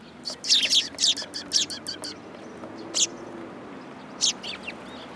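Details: Sparrow fledglings coming onto a hand at a Tenmangu shrine in July 2022; a rapid run of five loud sharp chirps in the first two seconds, then two more spaced single cheeps.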